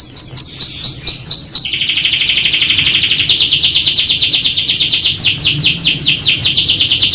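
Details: Canary song in the 'kenari gacor atas bawah' style: fast, rattling trills that shift pitch several times and keep rolling without pause.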